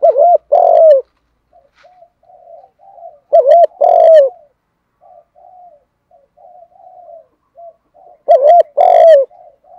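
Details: Spotted dove in powerful 'thúc gù' cooing for rousing wild doves: loud doubled coos roughly every two and a half seconds, separated by soft quiet murmured notes, with sharp clicky accents on the loud phrases.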